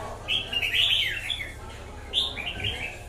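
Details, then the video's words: Red-whiskered bulbul giving two lively warbled phrases, rich and slurred, the first long and the second shorter after a brief gap, above a low humming background. "Chào mào bổi lở"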